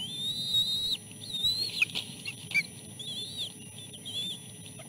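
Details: Chicks begging as a fish is fed to them at the nest, the oldest fending off two siblings; a string of high thin whistles, some long and wavering, broken by sharp clicks and knocks.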